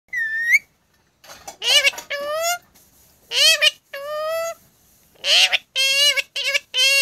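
Rose-ringed parakeet giving harsh, strongly harmonic squawks and rising screeches in short bursts, roughly one or two a second, with brief quiet gaps between.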